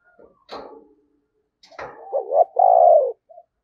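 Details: Spotted dove decoy luring wild doves: two sharp knocking sounds, then a rising double note and one long, low, falling coo.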